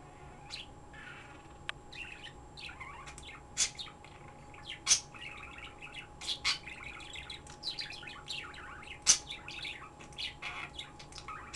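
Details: Pet bird chirping nonstop indoors: bursts of high, quick chirps and twittering notes with a few sharp louder squeaks, over a steady faint electrical hum and a high whine.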